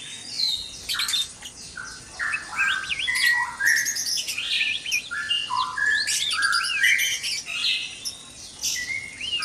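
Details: Captive white-rumped shamas at dawn in a breeding cage, singing busily: varied whistled phrases, quick upward slurs and rasping chatters mixed together by several birds at once.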